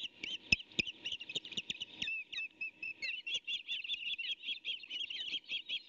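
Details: Ospreys at a nest on a morning of 23 May 2019, a chick of a brood of three tussling with its mother over a fish the male delivered: continuous rapid high thin chirps and squeaks, with scattered clicks and knocks.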